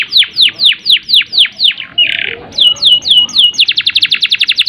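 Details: Singing canary in a long roll meant to stir breeding urge in other canaries: steady descending chirps, a brief harsh buzz, several sweeping slurs, then a quick even trill.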